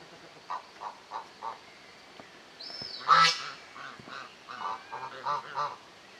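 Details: African geese in a family group give soft, spaced nasal calls, then one loud, harsh honk midway, followed by a run of quieter short honks.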